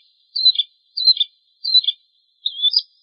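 Bar-winged prinia singing four high, bright chirpy phrases roughly every two thirds of a second, each a quick twittering burst, against a silent background.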